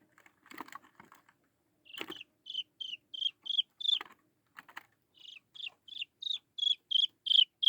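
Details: Chinese francolin chick peeping to lure its mother: scattered clicks and rustles at first, then repeated high, thin whistled notes with a falling end that grow louder and come about three per second.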